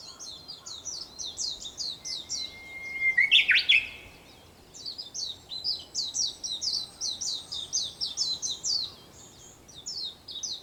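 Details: Sunrise song of a Japanese bush warbler, 4 May 2021, early morning: one long whistle then a loud warbled ending, set among a busy, rhythmic chorus of sharp, high chirping birds.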